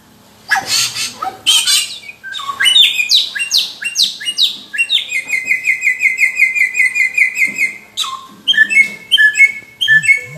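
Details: Cucak rowo (straw-headed bulbul) singing against a samyong, with a varied run of clear whistled notes, sweeping slurs and a fast even trill near the middle, then more bright chirping phrases; no other sounds heard.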